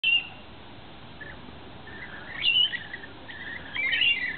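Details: Wild lorikeets feeding on wet nectar mix in a backyard in the afternoon give bursts of shrill, screechy chatter, rising and falling in short squawks between brief pauses.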